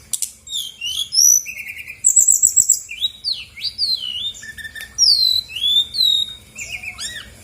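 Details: Female Brown-chested Jungle Flycatcher from Bali, a lure for lazy singers: varied bright whistles, a low buzzy run early, a ringing trill near two seconds, then long downslurred whistles.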